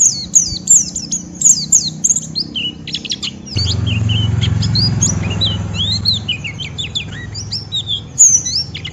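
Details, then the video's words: White-eye singing a rough 'ngeriwik' twitter meant to provoke a rival into joining in: quick high chirps and sharp downslurred notes in bursts, with a steady low hum entering partway through and staying under the song. "Pleci Ngeriwik Merangsang Lawan"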